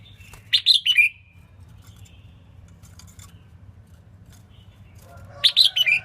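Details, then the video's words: Female red-whiskered bulbul, singing to rouse males: two bursts of sharp, high chirps about five seconds apart, the second followed by a softer note, over a faint low hum. "Tiếng chim chào mào yếu lửa hót không đè"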